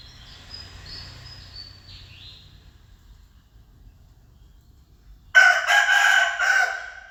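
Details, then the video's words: Faint high whistles from other birds come first over a quiet rural background, then a rooster breaks in with a loud, rough, pulsing crow of about one and a half seconds that trails off. "The sound of a rooster crowing เสียงไก่ขัน ไก่ขัน သဵင်ၵႆႇၶၼ် ၵႆႇၶၼ်"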